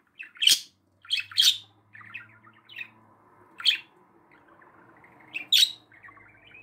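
Budgerigar chatter of sharp, high chirps with softer scratchy warbling between them.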